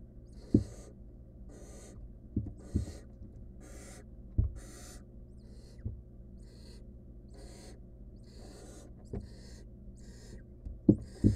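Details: Wild barn owl chick in a camera-watched nest box with a stolen rodent it tries to eat alone; a long run of about thirteen softer breathy hisses, irregularly spaced, broken by loud thuds and scraping knocks.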